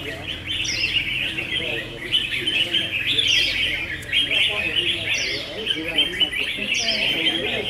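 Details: Several red-whiskered bulbuls sing against each other at a singing battle. Busy, tangled chirping and short whistled flourishes continue without pause over a steady murmur of human voices.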